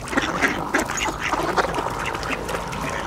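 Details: Feeding frenzy of mallards at a nearly closed ice hole with coots nearby; short nasal quacks come in quick bursts, several birds overlapping, over a steady background rush of water and flock noise.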